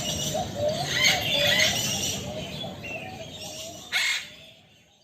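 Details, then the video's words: Male eclectus parrot calling to a female: harsh, raspy squawks spaced irregularly, with a sharp burst near the end, over steady background hiss. "Burung Bayan Jantan Manggil Betina"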